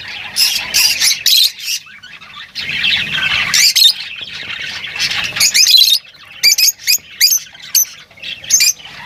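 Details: Lovebirds singing and calling: bursts of shrill, squawky chattering notes, high and harsh, in clusters separated by short pauses, with a lower murmur beneath.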